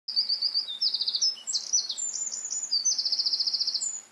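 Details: Eurasian wren singing a loud, high, fast song of sharp notes, buzzy rattling trills and rapid repeated pulses, all delivered in one vigorous burst with no other sounds noticeable.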